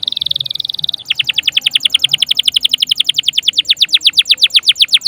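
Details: Canary in full song, used to stimulate other pet birds to sing and as a model for them: a short fine high trill, then a long run of quick downslurred whistled notes, roughly eight per second.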